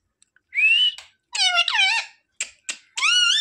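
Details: Parrot talking and mimicking words indoors: a rising whistle, then bursts of bright harmonic voice-like syllables that bend up and down, short clicks, and a final rising squawky phrase; faint background music.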